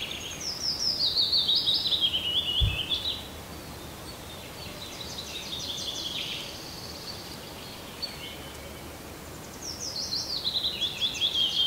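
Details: Springtime birdsong in a birch wood on Ruissalo Island near Turku, southwestern Finland: high whistled phrases sliding down in steps, a pause, then another descending whistled phrase, over soft steady background hiss.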